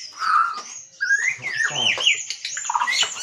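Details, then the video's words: White-rumped shama song used to excite other birds into singing: a clear low whistle, then rising fluty slides and quick tumbling notes. "Pancingan murai batu 🔥 Naikan emosi burung auto ikut gacor"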